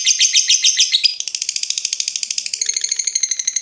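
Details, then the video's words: A lovebird's trill of the ngekek type, played to train other birds: rapid high chattering that blurs into a smoother buzzing run, then becomes a thin, even series of notes with a faint steady tone underneath. "SUARA BURUNG LOVEBIRD NGETIK NGEKEK PANJANG COCOK UNTUK MASTERAN"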